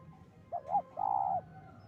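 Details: A single spotted dove lure phrase for trapping birds, made of two short rising coos and then one drawn-out, slightly falling coo, against quiet low-pitched background noise.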